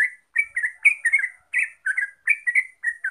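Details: Lure recording of a Yellow-vented bulbul (Javanese terucuk) singing gacor ropel: steady, rapid bubbly whistled notes, several per second, each slurred and liquid, continuing without pause through the clip.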